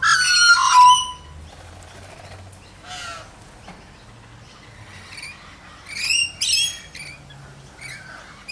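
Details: Lorikeet playing with a toy lorikeet: one loud, harsh screech opens, followed by quieter scattered chirps and two shrill bursts later on, with soft rustling in between.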